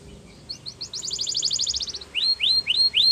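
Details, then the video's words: Canary song used to get canaries singing: soft rising notes building into a fast rolling trill, followed by four loud upslurred whistles, with faint background hiss. "Does Your Canary Not Sound ? Use This, He Will Sing A Lot"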